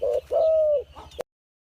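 A dove coos: a short low note, then a long, steady, drawn-out hoot, followed by two soft closing notes before it ends abruptly.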